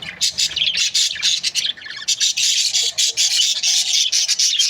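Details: Budgerigars from breeding pairs: dense, overlapping high chirps and squawky chatter from many birds, with brief pauses between bursts.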